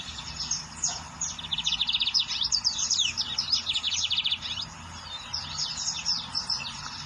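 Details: Wild lined seedeater in full song: a rapid, buzzy, high-pitched trill of tightly packed notes mixed with sharp downward-sweeping whistles. The song runs for several seconds, then eases into softer scattered notes.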